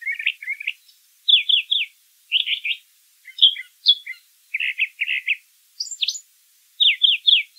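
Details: Wild brown thrasher song, made of paired and tripled phrases: rapid chirpy bursts repeated about once a second, mixing mid-pitched buzzy notes with a few high sharp slurs.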